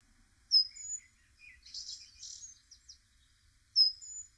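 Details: A great tit (Parus major) calling in spring gives sharp, high whistled notes at the start and end, with a run of buzzy, rasping chatter between, against a quiet background.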